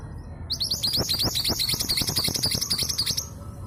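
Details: Local East Javan female long-tailed sibia, kept to spur reluctant males into song, delivers a dense run of rapid, high, scratchy chirps about three seconds long, notes tumbling in quick succession.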